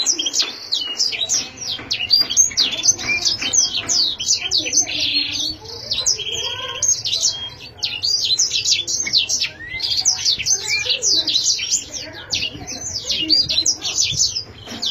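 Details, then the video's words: Pet canary singing a long, dense stream of rapid high chirps, buzzy trills and short rising and falling whistles, nearly continuous with brief dips, over a faint low hum. "chim yến siêu hay , yến hót hay"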